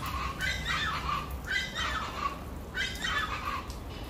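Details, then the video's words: Chachalacas calling: three bursts of harsh, raspy, rhythmic squawks with stacked descending bands, over steady low background noise. "Se me adelantan las chachalacas"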